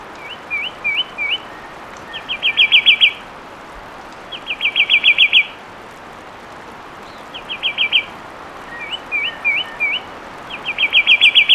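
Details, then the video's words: Fluid whistled song of a fulvous wren: sets of separate upslurred whistles alternate with tight, fast trills, phrases repeated every couple of seconds over a steady faint background hiss. "Fulvous Wren Sound"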